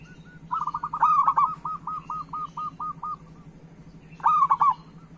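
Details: Local perkutut, the zebra dove, singing to prompt quiet doves; a long series of rapid soft trilled coos overlaps a loud bubbling phrase, followed by another loud coo near the end over a low hum.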